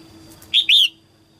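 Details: Female red-whiskered bulbul in 2022 early-season song meant to stimulate males. A brief whistled note runs into a longer rising-and-falling slur, forming one clear phrase, with a faint steady tone in the background.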